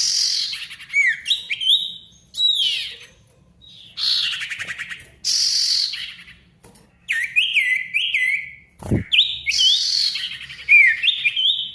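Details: Ashy tailorbird in full song, played to restart silent tailorbirds: bright upslurred whistles and loud chirps in short bursts, hissy buzzy notes between them, one sharp click near the end.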